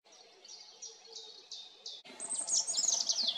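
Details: European robin (Erithacus rubecula) singing in spring: a string of thin, high notes about three a second, then a louder, tumbling phrase of rapid, sliding twitters.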